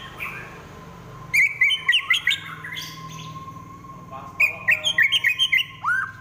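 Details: White-rumped shama in fighting trotol style, a kept songbird. Two bursts of quick, loud, clipped whistled notes in rapid succession with warbling twists, separated by a quieter pause, over a constant low hum and a steady mid tone.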